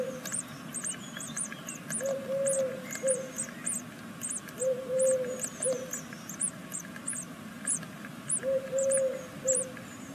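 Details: Six-day-old great tit nestlings from a second brood in Veszprém, Hungary keep up steady, high-pitched chevron-like begging notes; a low three-note hooting phrase repeats about every three seconds behind them.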